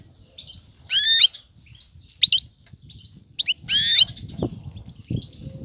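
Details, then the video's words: Female European goldfinch ready to mate, calling to attract the male and stir him to pair and build a nest: two loud, ringing, harmonic twitters a few seconds apart, with scattered faint chirps and low background rumble. "أنثى الحسون جاهزة, تبحث عن الذكر للتزاوج"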